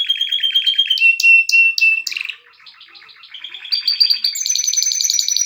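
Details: Canary song with a high trill, sharp repeated chip notes, a brief quieter gap, then rising series of fast rolling trills growing louder.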